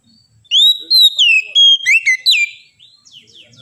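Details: Oriental magpie-robin delivering a loud two-second run of pure whistled notes, rising, falling and wavering, in a quiet setting followed by faint distant chirps.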